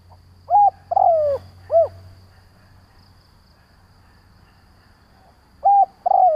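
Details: Lure calling by a decoy spotted dove meant to stir up other doves: a three-part cooing phrase of flat note, sagging long croo and arched coo, then silence before a second phrase starts at the end.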